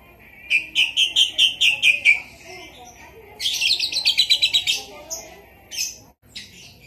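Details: Asian pied starling in song imitating a lovebird: a run of seven rapid, sharp chirps, then a dense buzzy trill of quick repeated notes, followed by a few scattered high calls.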